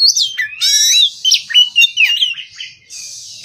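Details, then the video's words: Oriental magpie-robin singing in the morning: loud, varied whistled phrases with rapid sliding notes, sharp upward sweeps and buzzy bursts, delivered in quick bursts with short pauses. "Kacer Bahan Absen Pagi"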